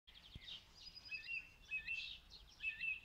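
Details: Song thrush singing in Zala county, Hungary, recorded distant on a mobile phone: varied bright whistled phrases and short rising and falling notes, repeated in quick strophes over soft background noise.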